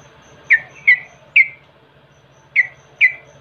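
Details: Lure recording of a Yellow-vented bulbul to set other birds singing: three clear, sharp chirps, a gap of a second, then two more, each note quickly falling in pitch, over a constant faint hum.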